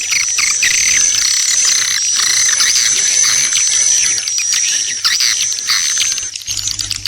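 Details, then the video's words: Swiftlet calling sound used as a lure. Continuous chattering, clicking high chirps run over a constant shrill tone, with brief gaps near the end. "SUARA PANGGIL WALET"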